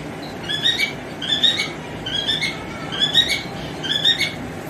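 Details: A male cockatiel calls to a female, singing short, bright whistled phrases with a squeaky edge, repeated about once a second over a steady low background hum.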